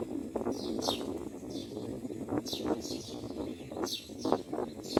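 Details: Myna, a mother feeding her newborn chicks in the nest; short harsh, hissing bursts come in scattered pairs and singles, with soft clicks and a low background murmur.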